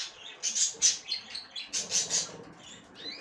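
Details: A female budgerigar checks the nest for the first time, uttering a series of short, high, scratchy chirps in two quick bursts of about four notes each.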